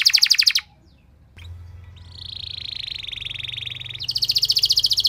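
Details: Canary lure song meant to prompt other canaries to sing, a long loud 'nembak' style: a fast buzzy trill, about a second of near silence, then a long sustained warbling note that breaks into another rapid high trill.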